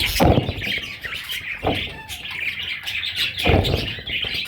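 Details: Parrot chicks squawking in a harsh, buzzy stream, broken by three loud thuds and knocks from handling or movement close by.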